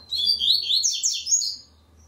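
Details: Coleiro double-collared seedeater sings one rapid high phrase of rising and falling whistles lasting about 1.5 seconds, with a low steady hum underneath, recorded for an online song contest.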